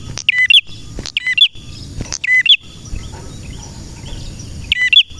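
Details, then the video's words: Male red prinia (prenjak merah) sends out three quick groups of high, bright chirps with loud snaps, then falls quiet before one final burst. "Prenjak Merah Gacor cocok untuk masteran dan pancingan prenjak bahan ‼️prenjak birds singing ‼️"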